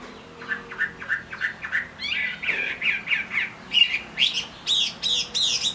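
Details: In the rain, a Chinese hwamei sings a series of evenly spaced mid-pitched whistles, then shifts into richer warbled notes and finishes with loud high swooping phrases.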